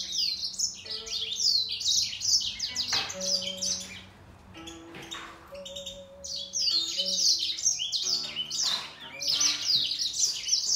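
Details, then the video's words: Grey singer finch and green singer in a singing fight, rapid high trilled runs in dense bursts, a brief lull near the middle with sustained lower notes before the fast twittering resumes. "Gery singer finch VS Green singer singing fight 灰燕和金青斗唱"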